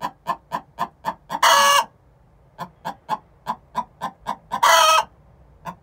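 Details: Pre-laying egg song from a pair of six-month-old hens: fast, punchy clucks accelerating into a loud, grating squawk, a brief pause, another cluck run and a second squawk.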